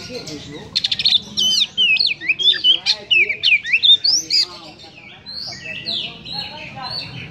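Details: Oriental magpie-robin in harsh, emotion-stirring song: a rapid series of loud, varied whistled notes sweeping up and down, with buzzy rattles, fading into softer drawn-out whistles.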